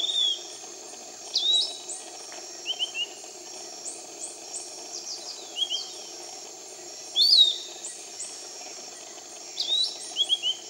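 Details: Piratic flycatcher in tropical rainforest at Iquitos, Peru, giving repeated short whistled and chirped notes, some in rapid threes, others single rising or slurred whistles, against a constant shrill hum of insects.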